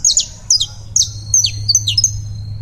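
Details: Colombian saffron finch singing: loud, high, sharp whistled notes, each dropping steeply, given in quick pairs and clusters about every half second, over a steady low hum.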